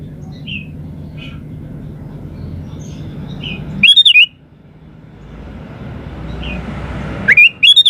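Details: Sooty-headed bulbul singing in lively style to lure other birds into answering: a loud warbled whistle, a few seconds of low hum and faint chirps, then another rising bubbly phrase.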